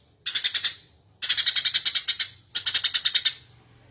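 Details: Energetic Eurasian tree sparrow used as a training master for songbirds: three quick bursts of six to nine bright, piercing chirps each, spaced about a second apart, with a faint low hum beneath.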